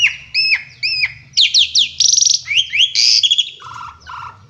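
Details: Asian pied starling sings loudly and lavishly: two arched whistled notes repeated, then a rapid jumble of harsh and clear whistles, ending on lower, steadier tones.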